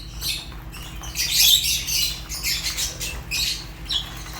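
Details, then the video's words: Fischer's lovebirds chattering in harsh, high chirps that swell in the middle, then continue as shorter scratchy bursts, against a steady low hum. "African lovebirds chirps sounds | تغاريد فيشر"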